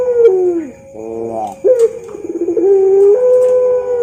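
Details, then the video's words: Pelung-style Barbary dove (puter) of champion quality giving a training song: a falling coo, a brief trembling burst, then a long level drawn-out coo over a faint constant hum. "MASTERAN SUARA BURUNG PUTER PELUNG JUARALANGSUNG RESPON"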